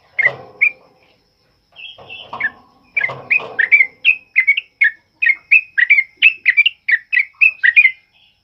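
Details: Sooty-headed bulbul giving a loud 'ropel uplik' song, used to tutor other birds, in heavy rain; a slow noisy start, then a rapid, steady run of bright slurred whistles repeated several times per second.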